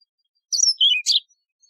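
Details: Yellow-fronted canary, a wild canary also called Mozambique serin, giving one short song phrase: high whistled notes sliding downward, then a burst of sharp buzzy chirps; quiet background.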